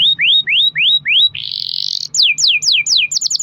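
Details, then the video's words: Canary used as a lure for other canaries to sing: a row of rising whistled notes, a long buzzy trill, then descending sweeps and a quick cluster of short notes. "kenari gacor ROL PANJANG buat pancingan kenari agar bunyi"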